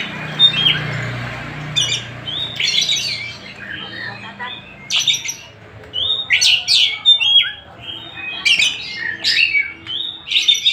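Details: Oriental magpie-robin (kacer, Tasik type) delivering a long varied song. Raspy bursts and upward-sweeping whistles come in rapid clusters, growing denser toward the end. A low rumble is heard early on.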